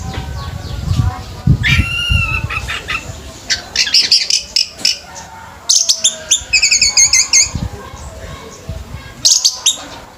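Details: Orange-headed thrush at a bird singing competition, giving bursts of bright, rapid chirped and whistled phrases high in pitch, separated by short pauses, over background noise and low rumble.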